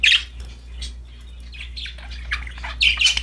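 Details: Happy budgies playing with a new toy, harsh squawky chirps and rising-falling chatter, loud notes at the start and end, quieter twittering between.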